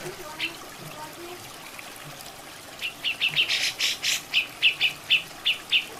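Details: Grey-cheeked bulbul (cucak jenggot), a natural masteran recording for training songbirds: a run of about ten sharp, high chirped notes in quick succession after a quieter start, with water trickling and splashing in the background.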